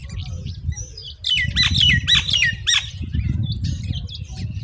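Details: Common myna chicks begging while their mother brings moringa to feed them: a burst of harsh, rapid squawks repeated several times over about a second and a half, over steady low rumbling background noise.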